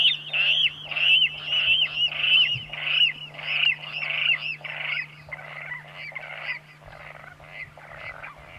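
Water rail giving a series of harsh, pig-like squeals, about two every second, each sliding down and fading toward the end; a steady low hum runs underneath.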